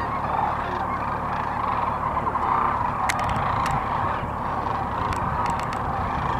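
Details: Sandhill cranes at Gibbon, Nebraska, during the 2016 migration, eating, dancing and flying: a dense, unbroken chorus of many birds giving rolling, bugling calls, with a few sharp clicks and knocks.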